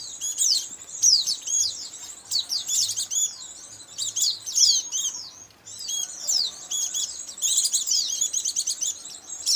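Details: Indonesian lure sound for trapping white-eyes: dense, high-pitched chattering twitters in long busy phrases, briefly pausing near the middle, with a faint low hum in the background.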